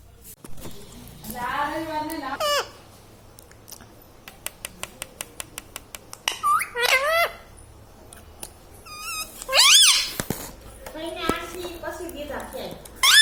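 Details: Ringneck parrot kept as a talking pet, known for words such as mummy and radhe radhe. Scattered harsh, stuttering squawks and wavering harmonic calls are separated by a run of sharp tapping clicks. A loud screech comes near the middle.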